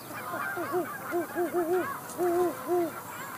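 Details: Great horned owl mother on the nest with three owlets in Charlo, Montana, USA, hooting to her distant mate: a string of short arched hoots, some paired and doubled, over the soft crackle of rain.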